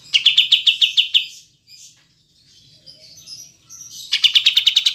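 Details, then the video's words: Olive-winged bulbul, called kapas tembak, used as a training recording for pet songbirds: a fast, even string of sharp, high notes, a quieter gap with soft twitters, then another rapid chattering run. "Masteran Kapas Tembak Jernih Jeda Durasi Panjang"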